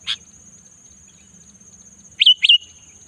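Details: Sooty-headed bulbul in the afternoon giving a single sharp chirp, then after a pause a quick pair of slurred notes that fall and level off, with a constant thin high whine behind.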